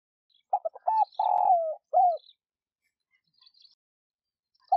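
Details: Spotted dove, a decoy bird used to stir other doves into calling: one low cooing phrase of quick stuttered notes, a long drawn coo sliding downward, then a short final coo. Faint high chirps follow, and a new phrase starts at the end.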